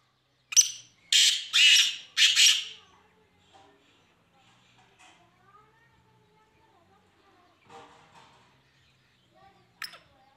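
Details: Black francolin of the Kahagar strain, said to have a slow-paced call: four harsh, grating broadband notes in a quick series lasting about two seconds, followed by near silence with faint scattered background sounds.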